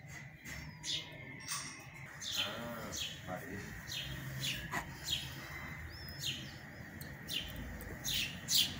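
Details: Sparrow chicks give sharp, high chirps about twice a second as they beg while parents feed them, on a drizzly early-summer day, with a person's voice heard briefly.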